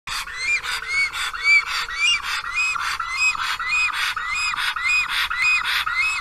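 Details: Black stork at its nest on 10 April in Karula National Park, calling in vain for last year's mate, which did not return; captured by a round-the-clock nest camera. Arched, whistled notes repeat rapidly, almost two per second, with faint rustling behind.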